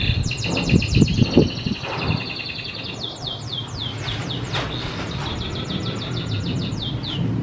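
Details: Domestic canary song meant to train other birds: fast high trills at first, then a sequence of sharp downslurred notes roughly four per second, over a low rumbling background.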